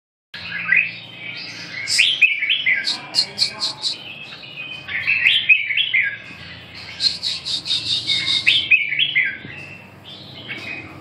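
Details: Red-whiskered bulbul singing: bright warbled phrases rising and falling in mid-high pitch, then a quick run of sharp high notes, followed by more chattering warbles. A faint low hum sits underneath.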